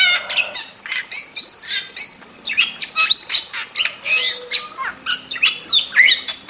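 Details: Wild starling in full song for bird-tutoring purposes: a fast medley of harsh squawks, sharp chips and brief whistled slurs, pouring out in uneven bursts throughout.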